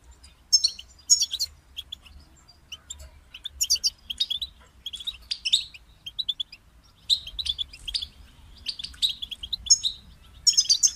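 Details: Goldfinch song given in brief, spaced bursts of sharp high twitters and chirps, separated by short silences, over a soft low hum that suggests indoors.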